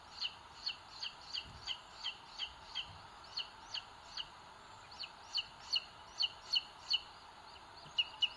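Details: Booted eagle chicks begging in a nest watched by a live webcam in Sierra de Guadarrama, Spain, 2022, while the older chick pecks the smallest; thin high piping notes repeated in rapid short bursts, two-toned, with gaps and steady background hiss.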